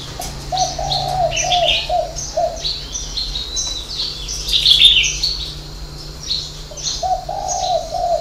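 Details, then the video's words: Spotted dove of the six-note, three-note-ending style, from a dove garden in Ba Vì, Hanoi, northern Vietnam. A run of deep coos opens and another closes, with busy high twittering of other birds between them. "chim cu gáy 6 tiếng ( hậu 3)"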